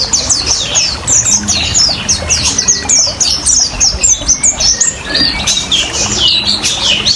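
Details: Oriental white-eye giving ngriwik ngalas song, meant as a lure and therapy for caged birds: rapid, high, thin descending whistled notes tumbling over each other, set over steady trickling water.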